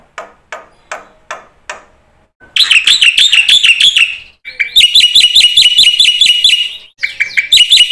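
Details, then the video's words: A few sharp clicks, then a black-winged myna bursts into full 'isian' song: quick series of looping, whistled-and-buzzy notes repeated several times a second, in three phrases split by short pauses. "suara burung jalak putih GACOR FULL ISIAN"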